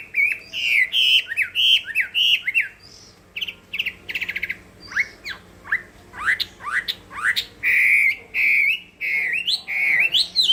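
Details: Fighting song of a Chinese hwamei: bouncing whistled motifs, a rattling burst, then sharp downslurred notes and sustained ringing whistles.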